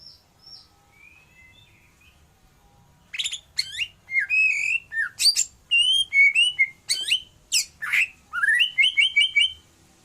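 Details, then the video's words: Nias white-rumped shama singing energetically: after a few soft opening whistles, a burst of sharp varied notes, slurred whistles and repeated chirps follows in quick succession, clear against a quiet background. "Murai Batu Nias Gacor"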